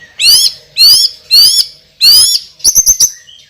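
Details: White-rumped shama song, loud and forceful, with four bright buzzy high phrases followed by a quick run of four sharp clicking notes.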